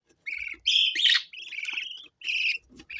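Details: Parrot chattering in bursts of warbled, harmonic-rich squawks and buzzy notes, four phrases separated by brief pauses, with one louder, rougher squawk near the middle.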